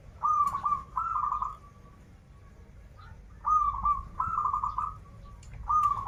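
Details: Singing local zebra dove, Banten, krital and warung kebek song styles: paired bursts of bubbling, quavering coos, two phrases, a pause of about two seconds, then two more and the start of another.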